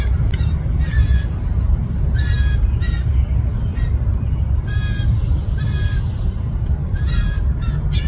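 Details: At least two fledgling blue jays in a yard, June 20, 2024, crying for food while parents teach foraging: fainter, short nasal squawks in irregular pairs and bursts, under a prominent steady low rumble.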